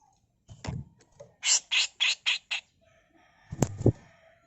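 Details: Rasping 'mbeset kasar' phrase from a female grey-cheeked bulbul used as tutor material: a run of five rough, noisy notes about a quarter second apart, framed by softer low clicks and a knocking thud near the end.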